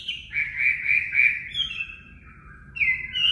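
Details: Song of a Chinese hwamei of the 'mộc' kind, for training caged birds: four quick repeated whistled notes, then a long falling slurred whistle and a sudden bright rising phrase.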